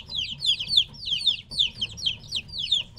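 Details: Young chickens roughly three weeks old, separated from their mother, give loud high chirps in tight bursts, each a quick downward slur, several birds calling at once over a low faint hum.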